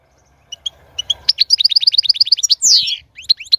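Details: European goldfinch song meant to stimulate a female to mate and breed: two soft paired chirps, then a fast run of about fifteen bright, evenly spaced high notes, a long descending slurred whistle, and a few closing twitters.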